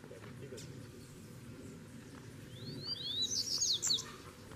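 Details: Free-living double-collared seedeater answering a caged bird, delivering one short, loud phrase of fast upward-slurred, bright notes near the end after quiet background hum.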